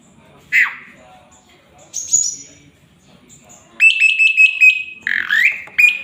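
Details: Male jalak suren, the Asian pied starling, singing a full varied song kept as a master song: a buzzy rising note, a high whistle, then rapid repeated bright chirps near the end, with faint voices in the background.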